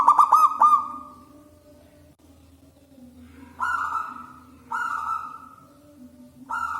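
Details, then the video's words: Local wild zebra dove with a big, ringing voice, used to lure doves: a quick stuttering run of coos, then three separate drawn-out tonal coos spaced about a second apart, over a low hum. "PERKUTUT LOKAL ALAM GACOR SUARA BESAR DAN LANTANG"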